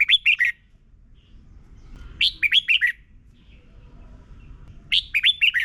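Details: Red-whiskered bulbul song from Thailand, played each morning so young birds learn it: three short bursts of five or six quick, bright, warbled notes, each about half a second long, spaced roughly two and a half seconds apart, with a faint low rumble beneath.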